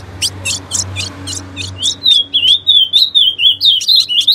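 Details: Female ultramarine grosbeak (azulão) singing, a song meant to set males singing: a string of sharp, clicking chips, then a fast, high warbled twitter of looping whistled notes, each note repeated about four times a second.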